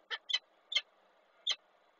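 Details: Four sharp, harsh cries from a female peregrine falcon on a railing at a Koszalin, Poland nest, 20 April 2023, with the male arriving at the eggs; the notes are unevenly spaced over two seconds.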